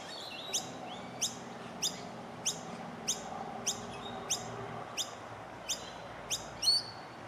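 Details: Noisy Miner fledglings being fed in Melbourne, Victoria, in September 2020 give sharp, high begging chips about every two-thirds of a second.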